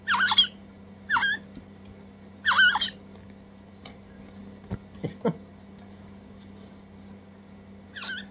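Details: Two crimson rosella chicks, messy and eager eaters, being hand-fed give harsh, rasping squeaks in short bursts, four over eight seconds, with a few soft clicks and a steady low hum behind.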